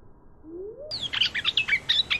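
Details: Red-whiskered bulbul song: a burst of fast, bright chirping and warbled notes beginning abruptly after a faint rising whistle, the syllables tumbling quickly at high pitch.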